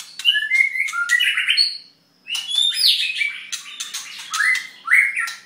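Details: Song of a white-rumped shama in mid-molt: bright whistled notes and rising slurs laced with crisp clicks and twitters, a brief silence, then more rolling fluty phrases ending in upward whistles.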